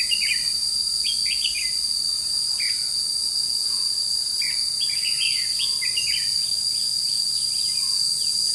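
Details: A decoy red-whiskered bulbul sings during bird trapping on 21 July 2016. It gives bright, quick chirping notes in clusters through the recording, repeated every second or two, against a constant shrill hum of crickets or cicadas.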